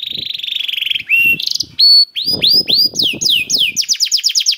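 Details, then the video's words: Canary song to coax other canaries into singing: a buzzy trill, sharp whistled notes, then an accelerating series of rapid descending chirps. "KENARI GACOR CENGKOK ISTIMEWA #213 || VOICE OF CANARY"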